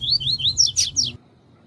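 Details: Coleiro tui tui song of a double-collared seedeater, used to train and warm up male birds: a fast phrase of rising whistled slurs turning into higher, harsher sweeping notes, lasting just over a second over faint low hum.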